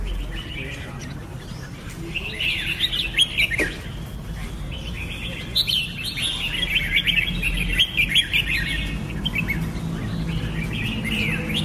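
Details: Red-whiskered bulbul with irregular runs of sweet chirps and slurred whistles, phrases coming in loose clusters over a soft low background noise.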